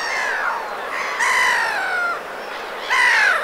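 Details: Black-headed gull in winter moult at the Vilaine estuary, Morbihan, on 22 February, giving harsh, drawn-out, slightly falling screeches, three in about three seconds, over a faint background hiss.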